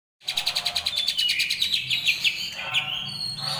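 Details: Greater green leafbird, a training recording in the rolling, harsh ngerol besetan kasar style: a fast rattling trill of sharp high notes, about ten per second, sliding into buzzy chattering phrases and a thin whistled end.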